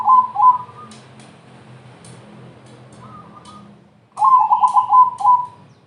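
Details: Zebra dove of crossing type, singing to lure other doves: the tail of one coo phrase, a faint soft note, then after a pause a long rolling run of about seven quick coos, with light ticks.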